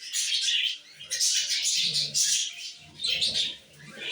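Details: Pet male budgerigar perched on a bathroom shower while flirting, giving a dense, scratchy warble of rapid chirps and clicks in bursts broken by brief pauses near one and three seconds, with soft low household rumble beneath.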